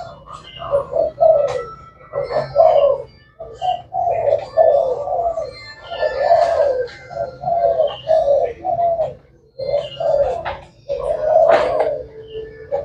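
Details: Thai black spotted dove, said to call all day, cooing continuously in low, rounded phrases roughly every second, broken by brief gaps, with scattered clicks and faint chirps overhead.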